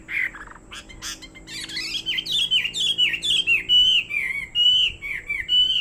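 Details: Chinese hwamei kept as a fighting bird, singing loud whistled phrases: a few harsh squawky notes, then a run of clear descending slurred whistles repeated roughly once a second, steady and ringing throughout.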